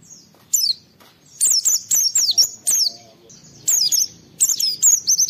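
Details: Oriental white-eye (pleci), a caged songster used to stimulate other white-eyes to sing: fast series of high, bright whistles sliding downward, grouped into short bursts with brief gaps between.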